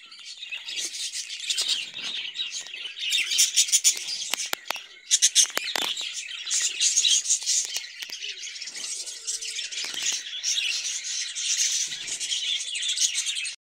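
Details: Caged budgerigars chatter continuously in a dense, high-pitched mix of warbling twitters and sharp chirps, with clicks and rattling sounds between the calls.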